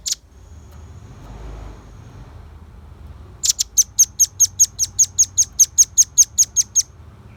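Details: Velvet-fronted nuthatch, a bird kept as a lure and master song for other birds: after a quiet start, a fast, even series of sharp, high chipping notes, about fifteen in a row, each clearly separated.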